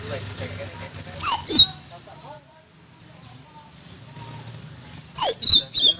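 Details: Common iora song: loud, piercing phrases of sharply falling whistled notes, one group near the start and another near the end, separated by a quiet stretch with a low background hum.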